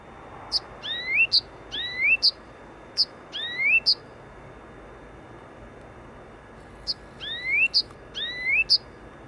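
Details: Blyth's reed warbler singing near Warsaw West station in the Wola district, Poland: short phrases of sharp high notes and rising whistled slurs, given in two bursts separated by a pause of about three seconds.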